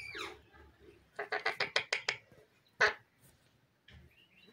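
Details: Indian ringneck parrot mimicking human speech indoors: a harsh sliding squawk, then a quick run of seven clipped, evenly spaced syllables, a loud single burst, and a few softer scratchy notes.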